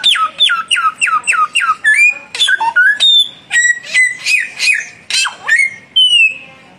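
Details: Samyong birds, young against mature, in an active singing duel: opens with a fast series of about seven identical falling whistles, then varied clear flat and sliding notes, fading to a lone steady whistle.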